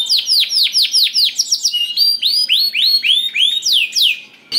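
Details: Canary singing a continuous rolling song, meant to coax other canaries into singing: fast trains of downward-sweeping whistled notes, repeated about four times per second, shifting between higher and lower series.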